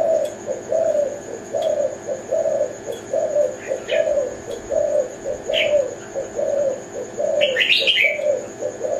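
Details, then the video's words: Repeated low, warbling coos from a zebra dove, the tekukur Kelantan, follow each other closely and steadily. Scattered faint high chirps appear, with a louder chirping burst near the end and a soft continuous whine. "Burung Tekukur Kelantan"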